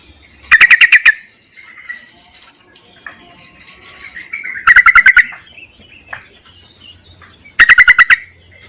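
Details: Yellow-vented bulbul calling males, used as a lure: three evenly spaced bursts, each of about six rapid, sharp chattering notes, with faint softer calls between them.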